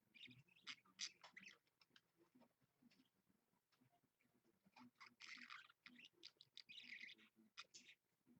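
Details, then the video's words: Indoor pet budgie, live stream at 7 AM on Monday, 16 February 2015. Soft clicks and scattered chirps build into bursts of scratchy, high twittering chatter toward the end. "Parakeet Budgie"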